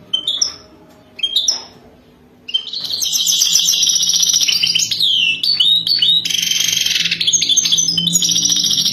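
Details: Wild European goldfinch singing a 'wadani'-style song for mating: two short thin whistles, then from about the third second a loud, unbroken stream of rapid high twitters, buzzy trills and sliding notes over a faint low hum.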